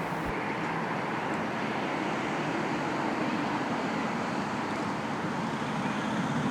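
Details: Continuous roar of road traffic and wind, with no animal calls.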